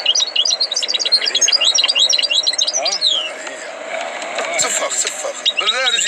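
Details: Tutored European goldfinch singing: a rapid run of high twittering, jangling notes for about three seconds, then people talking loudly over the bird.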